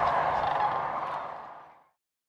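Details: Sandhill cranes gathered on migration near Kearny, Nebraska, late February: a dense chorus of rolling, rattling calls that fades out smoothly after about two seconds into silence.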